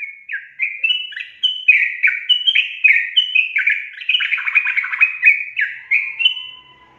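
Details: Yellow-vented bulbul, a caged bird's lure recording for lazy singers: bubbly, liquid whistled phrases, each short note dropping then rising, repeated in a lively chattering run with no other sounds.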